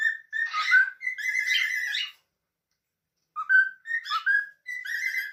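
A cockatiel gives clear whistled phrases, sliding and warbling, in two bursts split by a pause.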